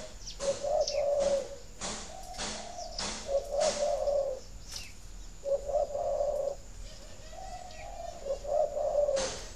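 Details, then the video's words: Repeated low, rolling coo phrases of a spotted dove, sound used to stimulate breeding doves to lay at a farm in Ba Vì, Hanoi, Vietnam; about five phrases with sharp taps and clicks interspersed. "Tiếng chim cu thúc đẻ"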